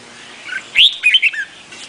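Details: Vietnamese red-whiskered bulbul singing one short phrase: a loud rising whistle, then two quick liquid notes and a falling slur.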